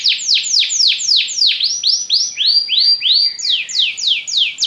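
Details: A yellow Belgian canary sings varied phrases of loud downslurred notes, shifting to rising sweeps and back again in a lively rhythm.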